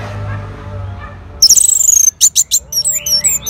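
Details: Orange-headed thrush replying to lure playback: after a quiet start, a fast high trill, then clipped buzzy bursts and a few scattered high whistled notes.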